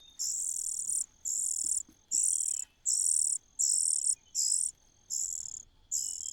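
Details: Cuckoo chick in a host nest begging for food: steady run of eight shrill, buzzy hiss bursts, each under a second, repeated at an even pace of roughly one per second.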